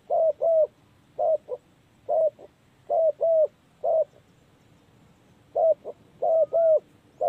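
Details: Spotted dove calling as a trapping lure: repeated pairs and triplets of short, husky coo notes, each group separated by pauses of about a second.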